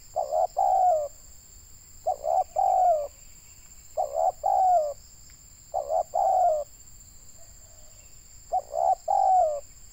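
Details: Spotted dove, a local Indonesian bird, calling while wild doves are being lured for trapping: five low cooing phrases, each of two or three short coos ending in a longer falling coo, repeated about every two seconds, over a steady high electronic whine.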